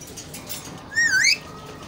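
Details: A whistled note from an Alexandrine talking parrot, about a third of a second long, dipping and then rising sharply at the end over faint background noise.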